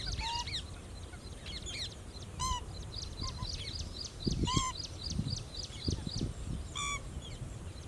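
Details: A Pheasant-tailed jacana foraging for food in a lake gives nasal, mewing calls that rise and fall, repeated in loose series, over steady low rumbling background noise.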